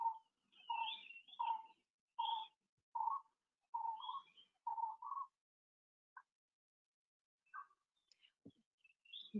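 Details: A Brown-cheeked Fulvetta in the Central India tiger landscape gives a quick series of soft, paired mid-pitched notes, each with a thin higher overtone, about one per second, fading into scattered faint sounds; a barbet also calls.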